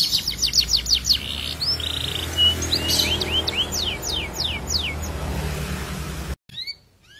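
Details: Canary morning song used to stir other canaries into singing: fast descending trills, a buzzy note, then slower spaced downward-slurred whistles over low background noise, cut off near the end.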